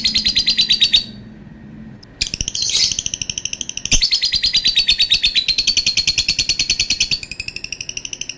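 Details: Lovebird chattering in long, fast trains of shrill notes, broken by a short pause and a rasping squawk, then resuming its rapid metallic chatter.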